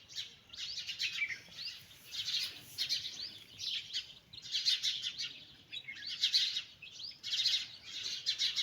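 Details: High, insistent peeping from many chickens' chicks walking beside a mother hen comes in pulsing clusters roughly every second, loud and bright.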